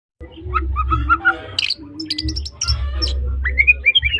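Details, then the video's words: White-rumped shama of the Medan type, singing actively in trotol style: a varied run of clear whistled notes, short rising slurs and buzzy bursts, with a steady low hum underneath. "suara burung murai batu medan||murai batu medan trotol gacor"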